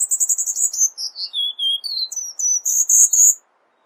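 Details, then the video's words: Cuban bullfinch in rapid 'tembakan rapat' style for masteran tutoring: a fast run of high chirps gliding down into lower whistles, then climbing back to bright sustained high notes before stopping. "MASTERAN BURUNG BULL FINCH KUBA TEMBAKAN RAPAT"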